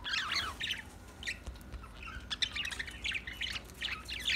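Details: Budgerigar, an Australian parrot, chirping: bursts of quick warbled notes sweeping between mid and high pitch, with short pauses between phrases.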